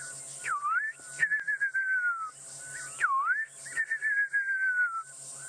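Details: Fiery-necked nightjar (Caprimulgus pectoralis) calling in the distance on a sunset drive around nightfall, 8 November 2016: a quick dipping note, then a long, slowly falling whistle, heard twice, over steady insect hiss and a low engine hum.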